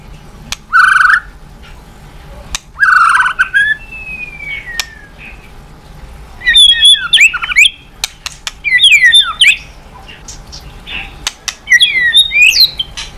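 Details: White-rumped shama singing to provoke other birds to sing: short rich phrases separated by pauses, including a long descending whistle, then several bursts of quick, tumbling whistled notes.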